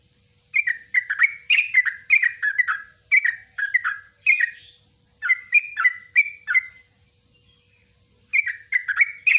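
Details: Yellow-vented bulbul singing a long song meant as a tutor for cage birds; fast runs of liquid, descending chirps in several bursts, a two-second quiet spell near the end before singing resumes.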